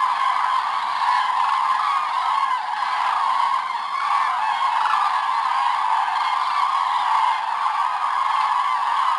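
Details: Morning departure of common cranes from their roost, Hortobágy, Hungary, 24 October 2010. Many birds call at once, a continuous rolling wall of trumpeting honks with individual calls breaking through now and then.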